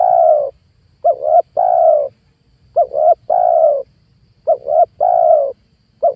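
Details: Spotted dove lure call for trapping wild doves: a steady sequence of coo phrases, each two brief coos then a longer drawn-out coo, repeated roughly every 1.7 seconds, clean and loud.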